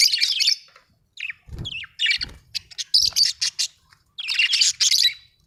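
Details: Budgerigar chirping: bright buzzy warbles and rapid clicking chirps in close bursts, with soft low taps in the middle.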